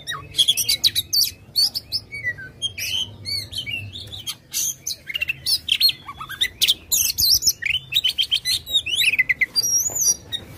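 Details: Oriental magpie-robin singing aggressively with its tail fanned, used to coax a quiet bird into song: a long, loud, continuous stream of varied whistles, sweeping slurs, harsh rasps and quick trills with hardly a pause.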